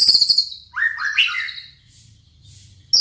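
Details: White-rumped shama composing its song: a loud high shrill trill opens, then a run of rich slurred whistled notes rising and falling, followed by a quiet pause with faint low background rumble and a sharp high burst at the close.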